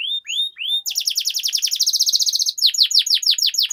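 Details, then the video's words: Canary song used as a training lure to get other canaries singing, with long rolling passages: rising whistled notes, then a fast buzzy trill of rapid repeated notes, ending in a series of descending sweeping notes. "Suara Pancingan Burung Kenari Agar Cepat Gacor dan Ngerol, Masteran Suara Kenari Ngeroll Panjang"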